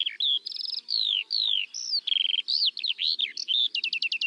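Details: Skylark (Alauda arvensis) pouring out song: long falling whistles, buzzy notes and a closing burst of fast repeated chips, high-pitched and unbroken.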